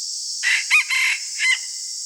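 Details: Red junglefowl decoy cock crowing in the morning during wild fowl luring: a short, hoarse four-part crow of about one second, rising then broken, over a steady high insect drone.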